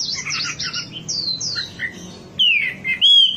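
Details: Wambi song used as a lure for cage birds: a brief high twitter, then two long, clear whistles that slide downward, with a silent gap before the last one.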